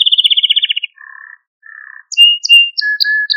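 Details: Male Maltese canary singing to stimulate other canaries: a fast high rattling trill, then two lower buzzy rolled phrases, then bright clipped notes alternating with level pure whistles.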